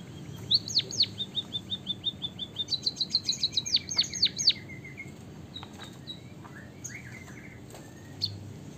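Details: White-headed Javanese munia song carrying canary phrases: a fast run of high ticking notes speeding into a dense trill, then a lower buzzy drawn-out note, followed by scattered quiet chirps.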